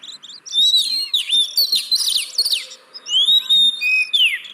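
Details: Oriental magpie-robin song serving as a lure for reluctant caged birds: long clear whistles, quick slurred sweeps and buzzy notes in lively phrases broken by short pauses.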